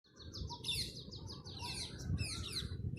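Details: A flock of parrots chirping. Many high, quick, downsweeping chirps overlap busily over a steady low rumble.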